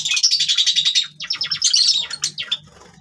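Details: Java sparrows playing with grass chatter in quick, high chirps, about ten notes a second, then a run of sharper descending cheeps, with a faint low hum underneath.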